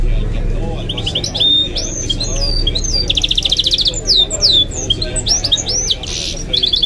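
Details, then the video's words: Pet goldfinch-canary hybrid singing a rich, varied medley: rapid trills, slurred whistles and sharp chirps in close succession, while a football match commentary plays faintly in the background. "The maestro's singing is amazing - the goldfinch hybrid"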